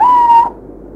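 A little owl gives a single drawn-out, clear whistle, steady and mid-pitched, about half a second long, followed by quiet.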